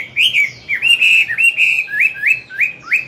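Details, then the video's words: Old forest-caught hwamei singing at morning to school newly caught birds: rich fluid whistles sliding up and down, followed by several short rising whistled notes in quick succession. "Luyện giọng họa mi hót sáng, kích bổi mau căng lửa."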